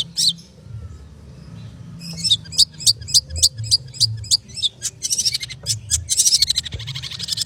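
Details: Long-tailed shrike, kept songbird, in rapid chattering song: a brief note, then a fast run of sharp repeated high notes about three per second, followed by dense buzzy scratchy phrases.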